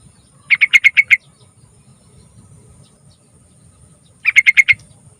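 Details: Yellow-vented bulbul singing long and lively as a lure for young bulbuls: two quick bursts of five to six sharp chirping notes around the same pitch, separated by about three seconds of quiet with a faint high steady hiss.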